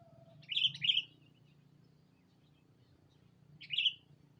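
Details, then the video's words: Sooty-headed bulbul calling a rival, on a lure recording: a pair of sharp warbled chirps, a three-second pause, then one more chirp, with a low background hum. "Suara burung Pikat kutilang memanggil lawan"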